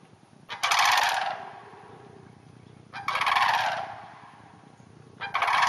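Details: A sandhill crane in a hayfield about half an hour north of the Twin Cities gives loud, rolling, rattling trumpet calls, three bursts about two seconds apart, over a low background rumble.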